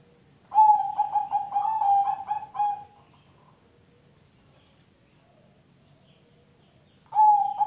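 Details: Perkutut song played so other birds will join in. A bright, rhythmic string of soft pulsed coos on an even pitch, then a long silence and the start of the next phrase.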